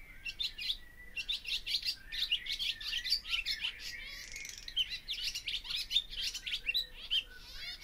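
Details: Barn swallow song, a rapid run of sharp twittering chirps and clicks mixed with buzzy rattles, delivered in quick bursts that keep going almost nonstop.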